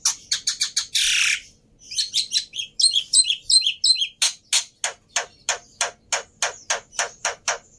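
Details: Black-winged myna in full song, used as a lure to prompt other mynas that have stopped singing; harsh rapid chattering bursts and a long raspy note, then a steady run of sharp clipped notes, about three per second.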